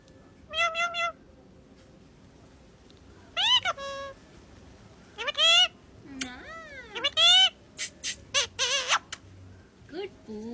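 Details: Ringneck parrot talking: a string of voice-like, harmonic phrases that rise and fall in arcs, given in separate bursts across about ten seconds, with quick rasping notes near the end.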